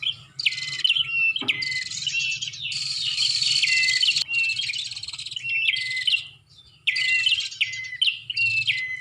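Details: Bar-winged prinia lure call: strings of high, insistent chirps with falling whistled endings, one longer dense burst mid-way, then a short silence and more repeated phrases; faint low hum throughout.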